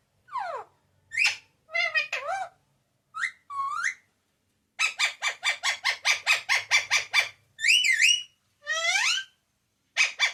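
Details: Pet parrot speaking papa and mummy loudly; a mix of short squawky syllables and swooping word-like phrases, with a fast train of about twelve staccato notes in the middle.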